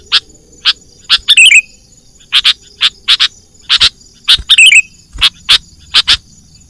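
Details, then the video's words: Sooty-headed bulbul calling as a trapping lure for wild birds: a run of crisp, evenly spaced chips with two tumbling, falling chatter phrases among them, and a thin continuous high tone in the background. "suara pikat burung kutilang gacor"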